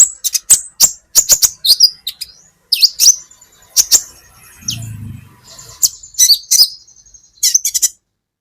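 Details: Brown-throated sunbird (kolibri ninja) training recording. Sharp, high chips come in quick pairs and groups, with slurred whistles between them. A soft, low rumble is briefly heard midway.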